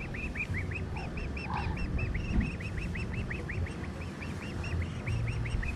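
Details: An injured female Muscovy duck, taken from a marina and returned to be reunited with her mother, gives a quick, steady run of thin, hooked peeping notes, about five a second. Wind rumble and a man's voice underneath.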